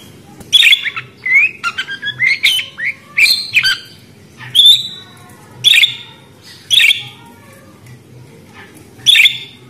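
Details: Budgerigar uttering sharp chirps at irregular intervals, about one a second at first and then sparser, some bending whistles, others short harsh squawks.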